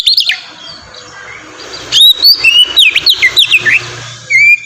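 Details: Oriental magpie-robin in ngeplong style, used as a singing lure for untrained birds: an opening whistle, a quiet spell, then a quick series of slurred, rising and falling whistles over faint low noise.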